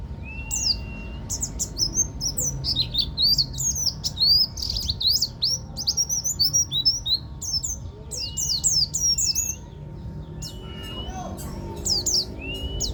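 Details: Local buktoni Swinhoe's white-eye from Banten in rolling 'ngeroll tembak' song style: dense bursts of high, sharp twittering chirps and slurred notes, broken by drawn-out level whistles, with low background rumble.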